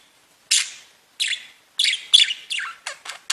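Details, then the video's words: Budgerigars chirping: a run of about eight separate sharp, harsh chirps and short squawks, several falling in pitch, spaced by brief silences that grow shorter toward the end. "Веселое пение волнистых попугайчиков"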